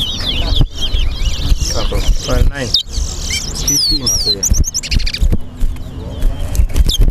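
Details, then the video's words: Towa towa, or chestnut-bellied seed finch, competing in a singing race at a Lamaha & Vlissengen Road bird ground in Guyana: bursts of bright, looping whistles and trills, with voices, music and low rumbling noise underneath. "TOWA TOWA BIRD RACE"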